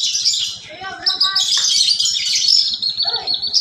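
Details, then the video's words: Lark singing a mix said to borrow from sparrows and canaries, with high rapid twitters interrupted by lower whistled slurs, then a long continuous rush of shrill notes, over a soft low repetitive ticking. "branjangan parva gacor rasa greja dan kenari"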